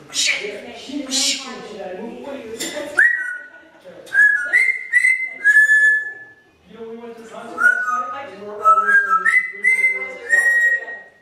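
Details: Pet African grey parrot mimicking cussing, burping and coughing, mixing speech-like babble with clear whistled notes that step up and down in short, repeated phrases separated by brief pauses.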